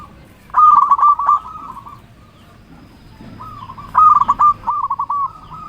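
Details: Zebra dove, a local bird singing actively to call rivals: two bouts of quick, clipped coos that run into a rolling trill, with near silence between them.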